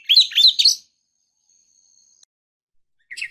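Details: Female oriental magpie-robin calling to draw a male into song: quick jumbled chirps and twisting whistles, a long silence with a faint thin tone, then a short chattering burst.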